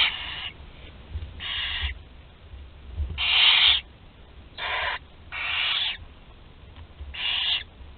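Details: Nestling barn owls at Théding, France, on 20 July 2020, including a 13-day-old chick that swallows prey whole; a series of six or seven breathy, harsh hisses, some short and some longer, with faint rustling in the nest.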